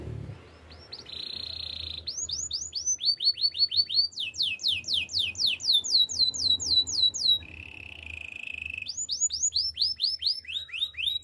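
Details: Canary training song, long and varied: a steady roll, runs of sweeping whistles that climb and fall, a low buzzy tour, then more rapid sweeps.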